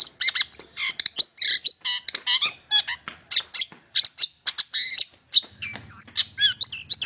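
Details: Long-tailed shrike song meant to set mute shrikes singing: a dense, chattering stream of scratchy squawks and high chirps with a few looping whistles near the end.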